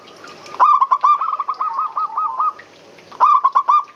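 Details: Zebra dove cooing used as a lure: a quick stuttering series of repeated coo notes lasting about two seconds, then a shorter burst of the same rapid notes after a brief pause.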